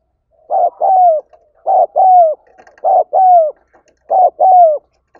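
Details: Four repeated paired coos from a spotted dove calling to rouse other birds, each phrase pairing a short note with a longer falling one, steady and evenly spaced.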